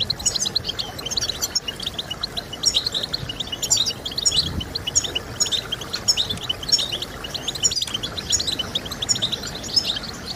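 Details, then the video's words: European goldfinch song played to get birds singing: an unbroken, bubbling chatter of high chirps and trills, punctuated by sharper louder notes roughly every second, with several singers overlapping. "Stimulating Birds with Goldfinch Sounds"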